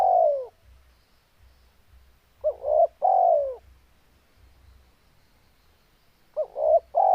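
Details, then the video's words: Spotted dove in full breeding condition, calling steadily: repeated mellow three-part coos, a short double note followed by a longer falling coo, over a low constant hum. "Suara burung tekukur Gacor full birahi"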